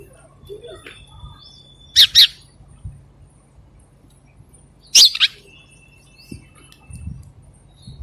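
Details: A sparrow eating food gives short, sharp high chirps in quick pairs, spaced about three seconds apart, with a faint high whistle between them.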